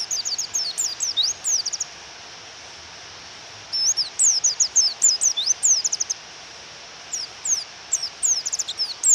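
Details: Female pleci white-eye calling so the male will sing, in rain: three rapid runs of shrill, high, zigzagging chirps separated by quiet gaps, over a steady rain hiss.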